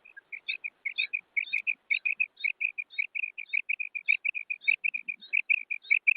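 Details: Female common quail calling: soft, clipped notes in quick pairs and triples, repeated steadily at a brisk pace throughout, with faint higher flicks above some notes.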